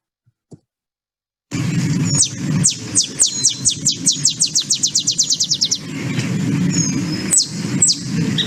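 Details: Olive Sparrow song: low-pitched dry chip notes that speed up like a bouncing ball, about twenty in three seconds, lower than a Field Sparrow's, over a low steady rumble.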